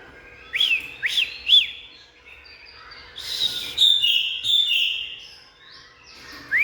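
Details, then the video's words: Oriental magpie-robin song: three quick rising whistled notes, then a longer run of varied sweet whistles and short bursts, ending in another upswept whistle. "Bird Oriental Magpie-Robin| Birdsong"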